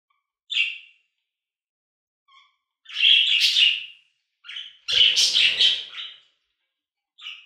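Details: Budgerigar chatter for sleep: isolated chirps alternating with longer bursts of buzzy, scratchy warbling, a soft low thump under one burst.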